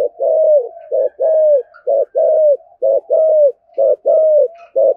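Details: Spotted dove coo in the 'Thổ Sấm' style, an insistent lure meant to stir wild doves; steady alternation of short clipped coos and longer slurred, slightly falling notes, roughly one per second, no other sounds.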